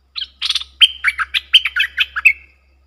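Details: Fierce song duel between a pair of Streak-eared bulbuls, 30 October 2021: a quick run of about a dozen jerky, liquid chirps mixing sharp whistled notes and lower burry syllables, lasting two seconds, over a faint steady hum.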